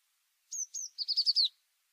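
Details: Tit singing one phrase: two high, sharp, downward-slurred notes followed by a quick, fast trill of five lower notes, all in about one second, with a quiet background.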